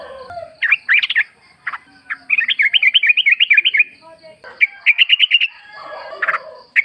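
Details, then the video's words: Sooty-headed bulbul in the forest, with a recording meant to draw an answering song. Quick jerky chirps lead into a steady run of about a dozen bouncy notes, then shorter bursts, with faint lower sounds beneath. "pancingan trucuk gacor ngalas full suara alam"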